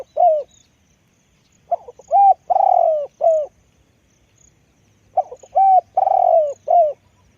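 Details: Spotted dove, a deep-voiced decoy bird, giving two cooing phrases, each a short note followed by hoarse, level coos and a longer drawn-out coo that falls at the end, with a pause of about two seconds between phrases.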